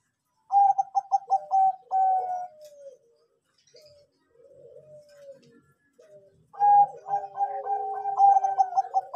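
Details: Anggungan song of a Bangkok-type zebra dove, played to coax birds into singing: a rapid pulsed coo run ending in a sustained note, a pause with soft sliding coos, then another loud trilled phrase.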